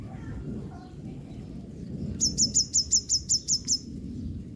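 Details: Female yellow-bellied sunbird drying herself after being drenched in rain, calling: a quick series of about eight sharp, very high chips at a steady pace, with a soft low rumble of background noise underneath.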